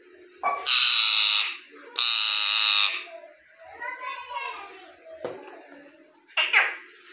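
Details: Indian ringneck parrot giving two loud, harsh, drawn-out screeches, each lasting nearly a second, then a softer, wavering sound and a short, sharp squawk at the end, over a steady high electronic whine.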